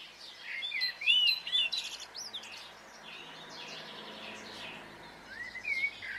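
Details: Several birds sing on a spring morning in Brittany, giving a busy mix of chirps, upslurred whistles and trills, strongest early and again near the end, against steady outdoor hiss.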